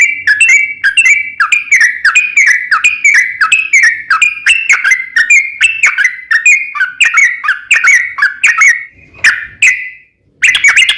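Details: Lure recording of a yellow-vented bulbul meant to get other bulbuls singing: rapid series of clicky, downslurred whistled notes for about nine seconds, a brief fading note, short silence, then one more loud burst.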